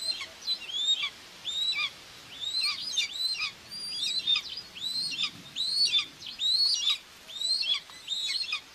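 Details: A common buzzard mother feeds two chicks at the nest in Tiszalök, Hungary, 2 June 2024. Bright, high whistled notes curve up and then down in a rhythmic series, with faint noise behind.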